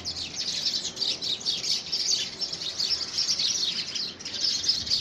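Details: A noisy dispute among house sparrows over possession of a homemade nest box in early February 2017, heard as a thick, continuous chatter of high, excited chirps.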